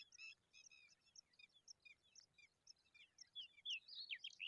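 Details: A young pipit chick taking a worm gives a quick run of high, squeaky chirps. These build toward the end into louder, sweeping slurred notes, with quiet natural background noise.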